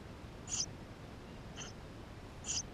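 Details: Inside a nest, Eurasian tree sparrow nestlings give brief, thin, high-pitched squeaks, three in under three seconds, with a faint hiss behind; recorded with a GoPro.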